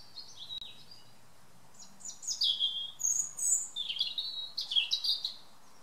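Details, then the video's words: European robin, evening, garden: after a quiet opening, a bright jumble of high, thin, fast-changing notes and trills, some very shrill, over soft background noise. "A Robin's evening song."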